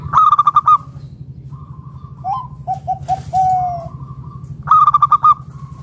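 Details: Wild local zebra dove calling to lure other doves into song: loud bursts of fast pulsed coos at the start and end, with softer, lower warbled coos between over a constant low hum.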